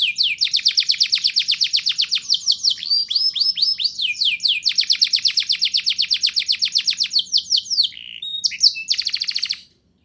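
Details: Canary in full rolling song, played to prompt young canaries to sing: long very fast trills of high repeated notes, with changes of speed and pitch and a few sharp whistled phrases near the end.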